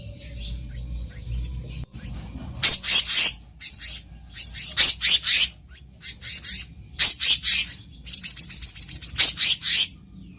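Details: Black-naped monarch recorded in the wild, used as a trapping lure: a few bursts of harsh, rasping high notes in short clusters, then a faster series of scratchy chirps, over quiet low rumble.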